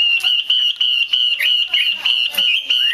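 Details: Female Chinese hwamei calling to prompt males to sing: a continuous loud, high, level whistled stream broken into pulses by short pauses, with occasional downward and rising slurred notes.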